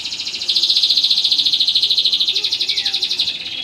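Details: Singing canary delivering a long, loud, rapidly pulsed trill of high notes, steady and rhythmic, ending with a brief downward slurred note.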